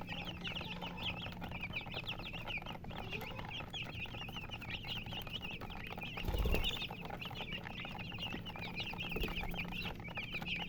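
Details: A group of chicks chirping steadily, many high, quick, wavering peeps overlapping throughout, with a low hum and a loud thud midway.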